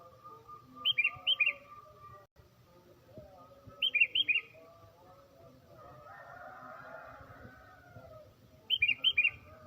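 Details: Morning song of a tame sooty-headed bulbul, used to lure other birds for trapping: short bursts of four or five bubbly, liquid notes, repeated about every four seconds, with a faint low hum and quiet background noise.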